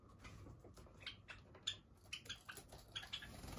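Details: Java sparrows living loose together in a room, part of a flock of more than thirty birds, uttering quick high chipping notes, several per second and unevenly spaced, over a background of light tapping and rustle.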